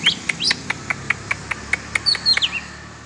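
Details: Oriental magpie-robin during free-flight exercise; evenly spaced bright chip notes about every quarter second, joined by brief high whistled slurs near the start and end, over a soft low hum.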